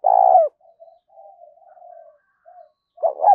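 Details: Decoy cooing from a spotted dove to bring wild doves in: a long vibrating coo that trails into soft low murmuring, then the stuttered opening of the next phrase.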